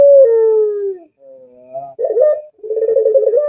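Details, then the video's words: A dove's long mellow hoot sinks gradually and fades. After a quiet pause come a soft rising note, a short clear coo, and the start of another pulsing, throaty trill. "SUARA MERDU BURUNG PUTER"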